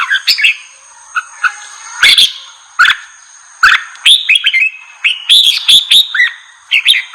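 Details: Red-whiskered bulbul song to provoke wild bulbuls: spaced single whistled notes and clicks at first, building into a fast, bright run of rising and falling fluty phrases toward the end, over a thin steady high tone.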